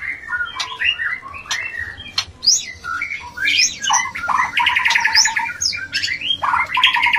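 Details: Mating sound of a white-rumped shama, used to stir breeding urge: a busy run of harsh squawks, sharp clicks and whistled slurs, with a buzzy rapid stutter of repeated notes midway and more slurred whistles at the end.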